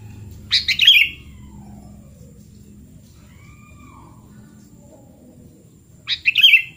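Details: Sooty-headed bulbul in full voice, recorded as therapy for bulbuls that no longer sing: a quick rich, gurgling phrase opens the clip and another closes it. Faint soft chirps and a faint steady hum sit between the phrases.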